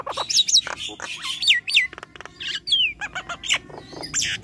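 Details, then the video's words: Chattering Nias hill myna mixing bright descending whistles with clipped squawks and short buzzy bursts, the notes tumbling in quick, uneven succession. "Jalak nias gacor"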